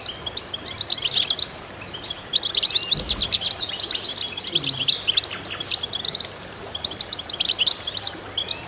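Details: Chorus of goldfinches singing together in concert: dense, overlapping high twittering and bright chirps, with a short buzzy rising note around the middle and a continuous background of rapid tweets.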